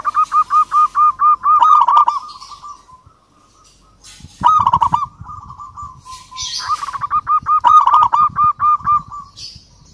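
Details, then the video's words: Rival-calling song from a local zebra dove (perkutut) in lively form: evenly spaced, clipped cooing notes build into a rolling run. After a short quiet gap, loud bursts and a second quick series follow. "Perkutut Lokal GACOR Suara Ampuh MEMANGGIL Lawan Langsung BUNYI Emosi MANGGUNGG"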